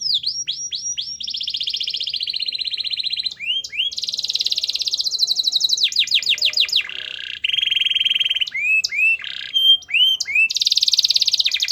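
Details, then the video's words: Canary singing continuously, used as a lure to make lazy canaries sing: alternating fast trills, upward-hooked whistles, buzzy rolls and rapid rattles, changing phrase every second or two without pause. "Suara Kenari Gacor Yang Malas Bunyi Awas Kaget Ikut Bunyi || Pancingan Kenari Agar Bunyi"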